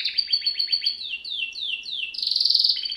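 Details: Canary singing: a fast rolling trill of short notes, then a series of slurred descending whistles repeated about every quarter second, ending in a dense buzzy high trill. Clean, with no other sounds.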